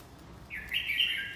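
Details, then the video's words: A single brief phrase from a red-whiskered bulbul in fight training: a rising note leading into a bright, slurred whistle that holds briefly. "Chào mào tập chiến"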